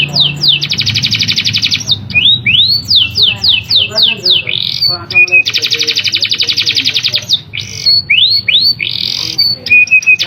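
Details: Canary singing its sharp rolling song, used to provoke quiet canaries into singing. Descending whistled sweeps and upslurs alternate with long, very rapid high trills and short flat notes. Loud and steady throughout.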